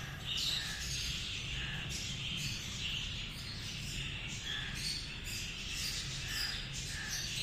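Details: Cockatiel chattering with a rapid series of short, high squeaky chirps and whistled notes repeated throughout, over a constant low rumbling background.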